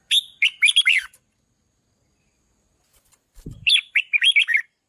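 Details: Loud red-whiskered bulbul song used to pump up decoy birds: two bubbly, rollicking phrases of quick slurred notes about three seconds apart, with a brief low thump just before the second.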